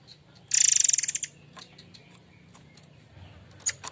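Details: Murai air mancur giving a single loud rapid trill of pulsed, buzzy high notes lasting under a second, then near quiet with faint ticks and one final short note.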